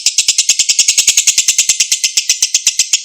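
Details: Long ngekek chatter from a lovebird, used as a lure so that a mute bird answers. Steady, rapid, rasping pulses, roughly eight per second, even in loudness throughout, with no other sounds.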